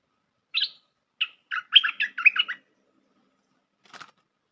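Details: Bulbul lure call for trapping: a single chirp, a pause, then a rolling chatter of quick bubbly notes, ending with a faint click in the background.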